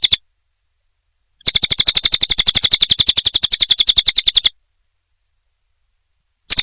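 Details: Cililin song for tutoring cage songbirds: a burst of fast, evenly spaced high chirps lasting about three seconds between silent gaps, with a short fragment at each end.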